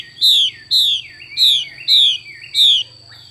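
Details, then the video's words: Caged female Chinese hwamei giving its 'xùy' call: five loud, slurred whistled notes, each sliding downward, repeated about every half second with short gaps, over a steady high electronic whine and low hum. "Họa mi mái xùy cực đỉnh"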